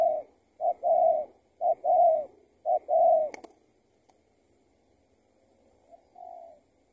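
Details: Escaped tethered spotted dove targeted by a trapper; four mellow short-then-long coo phrases in quick succession, then a sharp click and near silence, with a faint coo toward the end.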